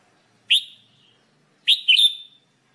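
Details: Bright whistled notes of a red-whiskered bulbul in a singing-training recording: one short note, then about a second later a lively three-part phrase with a trailing whistle.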